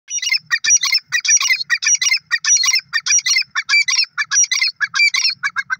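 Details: Grey francolin (teetar), a new pair, calling loudly in shrill, harsh bursts of overlapping notes, repeated rapidly at about one and a half per second with short gaps between bursts, no other clear sounds.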